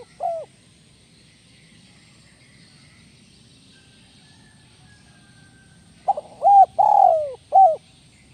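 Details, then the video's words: Spotted dove in the kuk 1 melambung style: a lone short coo, a long pause with faint background hiss, then a full phrase of two quick coos, a long sliding coo and a clipped final note. "SUARA BURUNG TEKUKUR IDAMAN KUK 1 MELAMBUNG"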